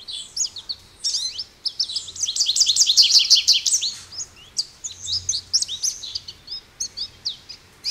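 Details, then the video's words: American goldfinch singing: a lively run of high, sweet twittering notes and quick rising slurs, thickening into a dense rapid chatter midway, then loosening into scattered chirps. "American Goldfinch Bird Call Song | Goldfinch Bird Singing | Goldfinch Bird Sounds"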